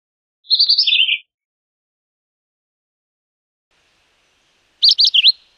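Philadelphia Vireo singing two short, high, slurred phrases about four seconds apart, each a quick warbled burst, against a silent background.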